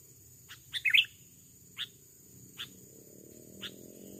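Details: Wild male Sooty-headed Bulbul, aggressive, lured with a decoy bird in overgrown scrub of a rubber plantation: a short burst of bubbly, clipped notes near one second, then single sharp chips spaced about a second apart against a steady high insect hum.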